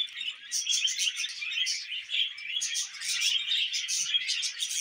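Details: Pet budgies warbling and chirping nonstop, high scratchy notes in quick pulsing bursts.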